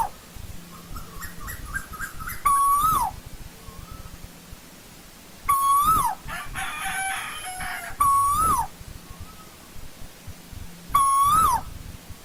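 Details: Asian koel in old-growth forest giving four loud calls spaced a few seconds apart; each a level whistled note swelling upward then dropping sharply, with fainter rising notes and softer distant answering calls between, over a low steady hum.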